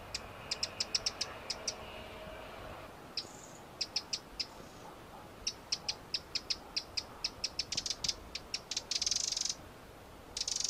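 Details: Eurasian wren giving a long series of sharp, high ticking notes, irregular then more regular, speeding into a dense rattling trill near the end; a faint low hum sits underneath.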